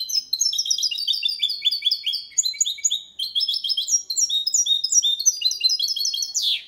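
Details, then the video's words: Goldfinch and canary hybrid delivering Malaga-version song without errors, meant to stimulate males to sing: long run of quick bright chirps and liquid trills, stepping between phrases, ending with a short harsh burst. "Mixto jilguero cantando copia malaga _ Hybrid of goldfinch singing for training songs"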